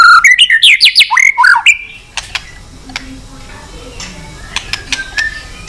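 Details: White-rumped shama song meant to provoke fighting. A burst of fast, varied whistled notes for under two seconds, then near quiet with scattered faint clicks.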